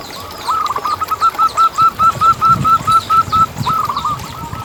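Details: Zebra dove song from local birds, used to coax zebra doves into singing: a quick, even string of soft, rolling coo notes after a brief pause, with light chirping from other birds in the background.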